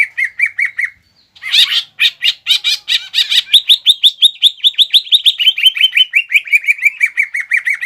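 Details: Green leafbird singing rich mimicked fighting material, intended to make a rival leafbird angry. A short chirping run and a brief pause lead into a long, dense trill of bright, rapid notes.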